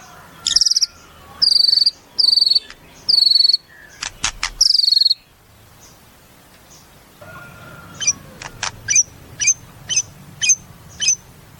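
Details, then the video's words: White-rumped shama giving high, thin whistled notes in spaced bursts. After a quiet gap comes a regular series of sharp high ticks about every half second. "Suara Murai"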